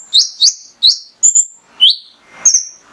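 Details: Mangrove whistler male singing steadily, meant to stimulate other birds to sing: clear, piercing whistles, each falling slightly in pitch, spaced roughly every half second, with one doubled note midway.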